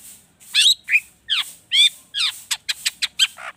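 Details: Long-tailed shrike in agitated, richly mimicking song used to spur other birds to sing: several harsh downslurred squawks followed by a fast run of short, sharp high notes.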